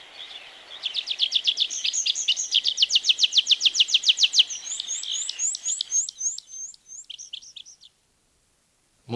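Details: Tree Pipit song from Wielkopolska National Park woodland, Poland, 1990 recording: a buzzy start swelling into a long, rhythmic series of sharp repeated notes, then spaced high upslurred notes fading out.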